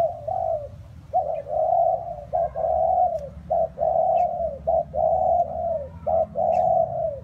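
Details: Spotted dove cooing through rainy, windy weather. Loud, mellow low coos, a short clipped note then a long hooting one, repeated almost continuously, about one phrase per second. A low rumble runs underneath.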